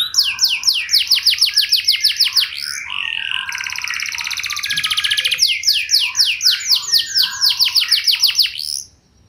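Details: Canary singing to lure other canaries into responding, with rapid repeated downslurred whistles, a buzzy rattling trill in the middle, then quick sweeping notes again before fading out.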